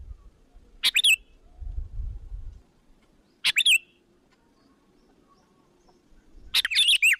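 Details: Sooty-headed bulbul calling as a lure to attract other bulbuls: three high chirping bursts, the last one longer and more tumbling, with a brief low rumble early on.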